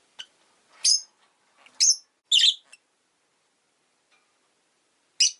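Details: Rosy-faced lovebirds, five kept in a cage beside a window on winter days, give loud, sharp, high chirps in an uneven cluster of about five notes, with a faint click first and a lone chirp after a pause.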